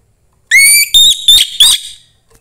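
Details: Orange-headed thrush, a young forest bird, sings to spur other thrushes. A rising whistle is followed by three short, clear whistled notes with rich overtones, all delivered within about one and a half seconds.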